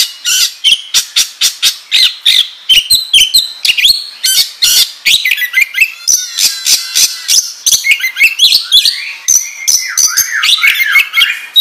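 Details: Oriental magpie-robin in full song, played as a lure for training other birds: loud, varied whistles, sharp clicks and rising slurred notes delivered rapidly and continuously.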